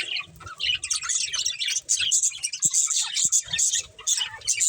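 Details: Pet budgerigars, a breeding pair, twittering in short bursts of high squeaky chirps with small gaps between, a few low knocks in the background.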